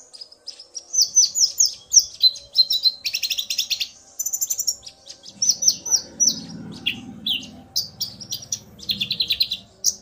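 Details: Male common iora singing hard in response to a female's call, the pair trading phrases; long stretches of rapid, buzzy high chirps and downslurred whistles, nearly continuous, over faint low background noise.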